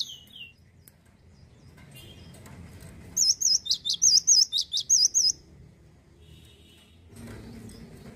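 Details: Male cinereous tit from Indonesia singing vigorously: a burst of about two seconds of loud, high, ringing two-note phrases repeated rapidly around eight times. Faint chirps come before and after, over a soft low background rumble.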